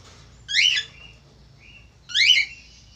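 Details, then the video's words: A male Australian finch gives two short, bright, nasal bursts of stacked chirps about a second and a half apart, with a faint thin whistle between. "FALK AUSTRALIA JANTAN GACOR"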